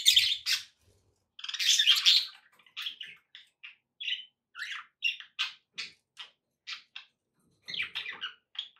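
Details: Domestic budgerigars open with loud scratchy chatter, followed by a series of short, separate squeaky chirps, roughly three per second, before a final burst of warbling.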